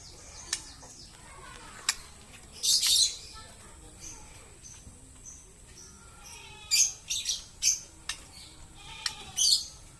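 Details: Green lovebird giving sharp, high-pitched chirps and short squeaky bursts scattered at irregular intervals, some in quick clusters, over a quiet background.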